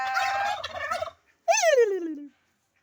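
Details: Turkey giving a rough, wavering call about a second long, then after a short pause a clear note that rises briefly and slides steadily downward in pitch.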